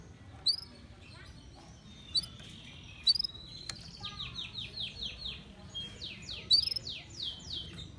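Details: Canary in heightened breeding condition (over birahi) singing. Scattered high chirps come first, then a run of about eight rapid descending whistled sweeps and a last burst of sharp notes over quiet background hiss.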